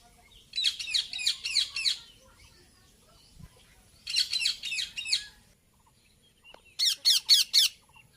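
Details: Indian ringneck parakeet making noise: three bursts of rapid, shrill, repeated screeching notes, about four per second, separated by quiet gaps of over a second.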